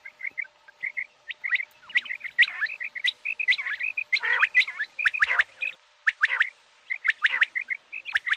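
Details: Common quail giving quick clipped notes in short bursts, roughly one group a second, over a busy chorus of chirps, downslurred whistles and clicking sounds.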